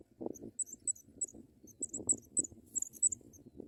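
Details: African pipit babies in the nest begging while parents deliver white butterflies; sharp high squeaks in small clusters over loud low rustling and scuffling in the nest.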